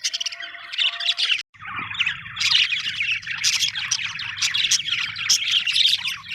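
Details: Happy budgerigar chirping: a dense, busy stream of bright, buzzy warbles and rapid chirps, with short squeaky notes and scratchy chatter running nearly without pause, over a low steady hum.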